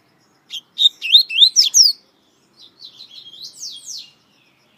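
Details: Brazilian coleiro, the double-collared seedeater, a singer ranked among Brazil's finest and recorded on many CDs: a burst of rapid, sweeping whistled syllables, followed by a softer, thinner twittering stretch of high notes.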